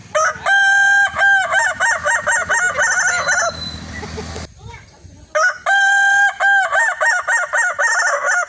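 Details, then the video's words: Red Kukuak balenggek rooster crowing in the evening: a long crow of many rapid, evenly stepped syllables, then a short noisy pause and a second equally long multi-syllable crow. "ayam kukuak balenggek"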